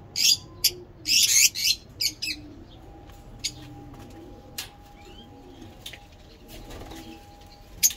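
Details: Lovebirds kept for breeding give a rapid cluster of shrill, harsh chirps in the first two seconds, then scattered sharp calls, while a soft low cooing continues underneath.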